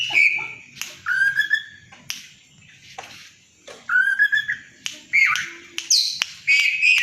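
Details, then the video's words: Loud, active kept White-rumped shama fanning its tail while singing 'konslet' style to provoke a rival: bursts of clear whistled slurs mixed with harsh, buzzy notes, separated by short quiet gaps and faint low background murmur. "suara kacer konslet, bikin geger lawan tarung,buka ekor"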